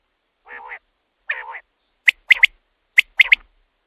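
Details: Common quail, a call used after dark as a lure for quail hunting. Two low, nasal, mewing notes are followed by crisp three-part phrases, a sharp note then two quick ones, delivered twice about a second apart.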